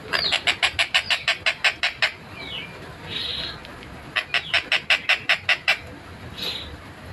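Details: Long-tailed shrike song in a close, clear recording: rapid trains of harsh, evenly spaced chattering notes, around twelve in quick succession, broken by a short whistled slur and buzzy bursts, then another fast chatter series.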